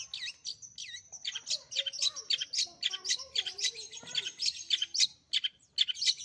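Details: Long-tailed shrike, a prized pet bird singing busily: a dense, varied run of sharp high chirps and short whistled slurs, some notes sweeping down, with faint lower warbled notes beneath.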